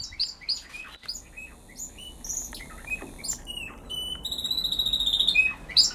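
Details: Caged song-contest canaries giving their first notes while being trained by listening to tutor birds; several birds sing high chirps and whistles, building to a fast, even trill repeated about eight times a second, then a bright closing note.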